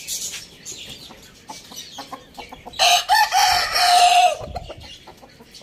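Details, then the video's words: Rooster crowing in the morning, a fairly distant hoarse crow of about one and a half seconds with a steady held ending, amid background chirping of small birds. "Rooster crowing sound in the morning"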